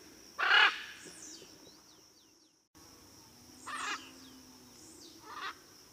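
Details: Blue-and-yellow macaw uttering one loud grating squawk followed later by two softer rasping calls, with thin descending chirps from smaller birds and a constant high-pitched hiss in the background.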